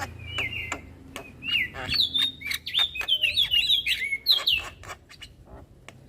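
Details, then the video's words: Young Javan myna bobbing its head as it sings without pause: a run of clear, bright whistled notes sliding up and down, some buzzy, delivered in quick succession over a soft low hum. "Ocehan Jalak Kebo Muda Suara Asli Jalak Kebo Manggut Manggut Ngoceh Tanpa Henti"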